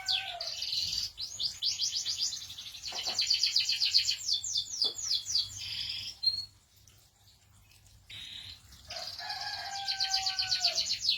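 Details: Canary singing rapid buzzy trills and rolling rattles in long phrases, a brief pause near the middle, then resuming with a fast high trill over a lower sustained whistle; faint low hum throughout.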